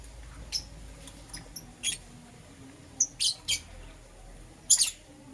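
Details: Lovebirds, green Personata and yellow pastel pied, chirp in the morning with short shrill squeaky notes, some paired, scattered irregularly about once a second, ending in a louder double squeak; low background hum throughout.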